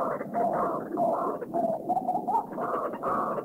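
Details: White-breasted waterhen giving a loud, harsh, unbroken croaking chorus of rough nasal notes; recorded in Thai national parks (Khao Yai, Doi Inthanon, Doi Suthep-Pui, Chae Son).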